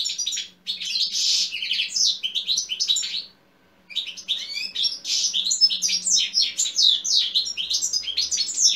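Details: Goldfinch singing to provoke other goldfinches to sing: a long run of quick, jangling twitters and trills, broken by a pause of about half a second, then resuming in dense, lively chattering phrases until the end.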